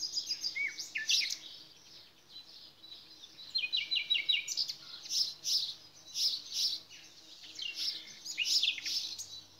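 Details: Nightingale song of dropping whistles and a quick rattle of repeated notes, followed by loud, rough, scratchy bursts, amid a background of other birds.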